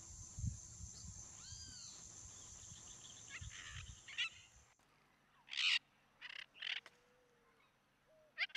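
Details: Yellow-collared macaws feeding on the ground in the Pantanal, Brazil, give four harsh, raspy screeches in the second half, spaced about a second apart, after a steady high insect drone with faint bird notes.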